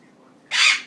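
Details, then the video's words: A male Goffin's cockatoo, hopping on top of his cage in the evening, gives one harsh, loud, goose-like honking squawk under half a second long after a brief quiet lead-in; it is a noise not heard before in a month. "Silly Goffin sounds like a goose"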